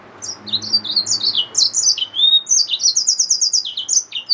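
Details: Song of a yellow-fronted canary mule, a hybrid finch. A continuous high warble of sliding chirps, a drawn-out whistle, then rapid repeated ticking notes. A faint low hum in the first second.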